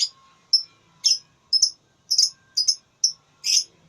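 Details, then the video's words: A lovebird in a singing contest, in the ngekek style. It gives sharp, very high, shrill chirps in quick bursts about every half second, some doubled. The chirps have a rasping edge over a quiet background. "Lovebird Tarung Suara"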